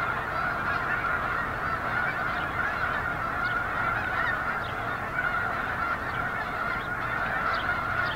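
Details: Snow geese gathered at Eagle Scout Lake, 13 February 2024: a thick, steady clamour of countless honking voices, with occasional sharper upslurred notes standing out from the even chorus.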